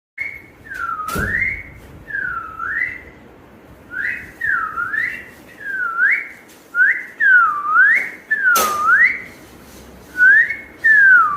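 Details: Pet parrot whistling a clear, pure-toned phrase that dips and rises, repeated about ten times at a steady pace, with a few sharp clicks or knocks between whistles.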